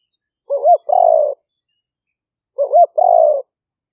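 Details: Spotted dove recorded live as a trapping lure in rice fields in the rainy season near Nong Khu Phai, Roi Et province, Thailand, on a smartphone; two identical phrases, a wavering two-part note followed by a drawn-out soft coo, two seconds apart.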